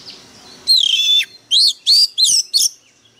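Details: White-rumped shama in song: one long steady whistle followed by four short, loud, arched whistled notes in quick succession, clear and sharp.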